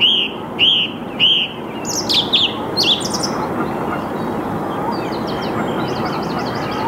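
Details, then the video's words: Singing song thrush, early morning of 8 March 2022, 08:10, Saarn-Mendener Ruhraue in Mülheim an der Ruhr, Canon EOS R5: a clear rising-falling whistle given three times, followed by squeaky notes and a faint high twittering series. "Song Thrush singing / Singdrossel singt"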